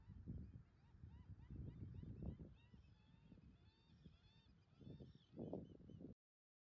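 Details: American oystercatchers on Sedge Island in Ocean County, New Jersey, late August 2018, giving a run of short arched piping whistles, thinning into fainter notes, beneath heavy low wind and surf noise.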